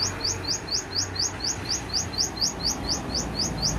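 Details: In Takengon, Central Aceh, Indonesia, a cinereous tit sings its full repertoire: a long, even run of sharp, rising whistled notes at a brisk regular pace, with soft low rumble beneath.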